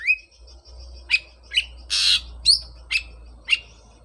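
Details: Oriental magpie-robin lure song meant to coax a post-moult bird back into singing: short rising whistled notes repeated roughly twice a second, one loud harsh rasp midway, over a faint low hum.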